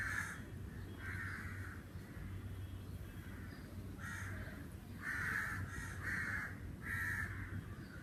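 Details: Crow on a summer day, cawing repeatedly: harsh, grating notes about one per second, some in quick pairs, above a steady low droning background.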